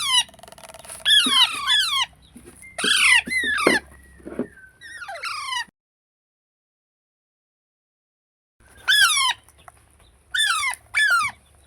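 A young rose-ringed parakeet gives bursts of harsh, descending squawks in quick clusters, separated by a long silent gap.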